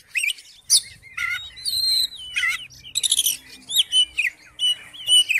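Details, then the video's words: Oriental magpie-robin singing to tempt a reluctant magpie-robin into song: clear whistled notes held level, mixed with buzzy chirp bursts and quick rising slurs, separated by short pauses. "KACER MACET MALAS BUNYI??? COBA DIPANCING DENGAN KICAUAN KACER INI"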